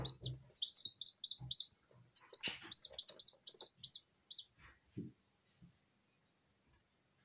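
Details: Newborn Silkie Serama chicks from an incubator, crying for comfort without a mother hen: a burst of quick, shrill peeps that fades into sparse calls, with soft rustling and handling sounds.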